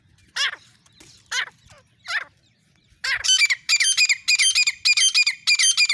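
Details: Female grey francolin recorded on an iPhone: three separate harsh notes, then a loud rapid rhythmic series of grating, chattering calls running about twice a second.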